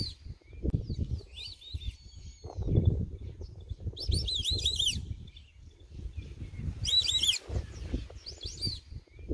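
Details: White-faced whistling ducks (Dendrocygna viduata) in Kruger National Park give clear, high, sweet whistles in quick bursts of three or four notes, with soft scattered peeps between and a low rumble of wind throughout.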